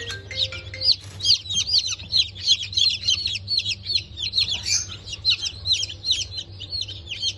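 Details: Loud chorus of newly hatched Bantam Cochin and Sussex chicks, 3 November 2024 hatch: high, piercing peeps come in quick, uneven bursts, many birds at once, with a faint low hum behind them.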